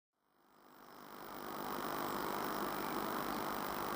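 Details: Broadband hiss swells up from silence and then holds steady, like a fan or static, with no bird sounds.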